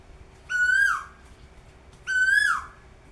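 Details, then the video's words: Asian koel perched high in a treetop on a breezy day, giving two clear, loud whistled notes, each swelling and then sliding down, spaced about one and a half seconds apart over a quiet background hum. "কোকিলের মেঠো সুর"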